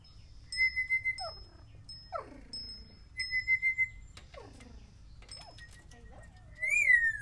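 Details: Timneh African Grey learning to talk and copy sounds, giving steady high whistled tones alternating with falling slurred whistles, soft pulsed notes between them, and a final loud rising-then-falling whistle.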